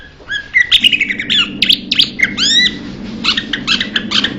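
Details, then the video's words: Rapid, chattering phrases from a Blue-winged leafbird. The phrases mix sharp ticks with bright, upswept and downslurred whistles in quick succession, over a soft low background hum. "นกเขียวก้านตองปีกสีฟ้า - Blue-winged Leafbird bird call"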